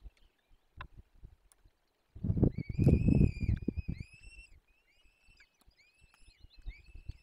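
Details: At a woodland nest in Dolina Baryczy on 17 April 2024, peregrine falcon chicks call during feeding: sharp ticks, then a loud burst of scraping with a drawn-out whining cry, followed by quieter repeated thin, slurred calls.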